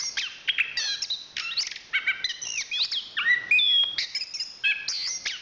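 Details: National champion chestnut-capped thrush delivering a dense, varied song of bright whistles, buzzy slurs and quick chatter, one phrase running straight into the next.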